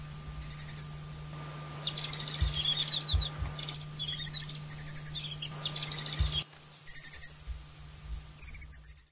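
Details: Alpine accentor, resident Taiwan endemic subspecies, at Hehuanshan's rocky high mountains: repeated short phrases of thin, high trilled chirps, each roughly a second long with gaps between, over a steady low hum and occasional thumps.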